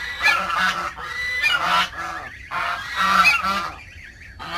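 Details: Backyard geese call in loud, brassy honks, several in quick succession, with short quiet breaks and thin wavering notes between.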